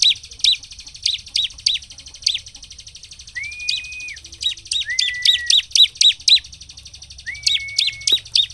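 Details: Ciblek (bar-winged prinia) singing to provoke other birds; steady repeated high chirps, some in quick pairs, interrupted three times by a long flat whistled note.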